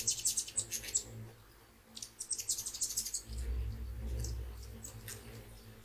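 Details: Hummingbirds visiting at sunrise for an early morning sip, with many birds stopping by in constant flow; rapid, very high, thin chirps and squeaks in quick bursts, then a low rushing murmur from a small bubbling water fountain.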